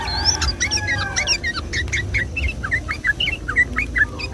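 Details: Yellow-vented bulbul song on a Sunday morning, played as a lure to attract and stimulate other bulbuls: short bubbly whistled notes, rising and falling, in a quick loose chatter over a steady low hum.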